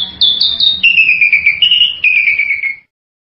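Bali myna giving a quick run of about eight clear, whistled notes, stepping down from high to middle pitch over three seconds, over a faint low hum.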